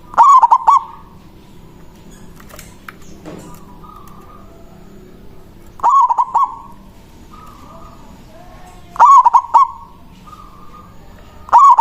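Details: Manggung song of a loud local zebra dove calling a rival. Four bursts of fast, staccato cooing notes come at uneven gaps of three to four seconds, with faint clicks and hiss between phrases.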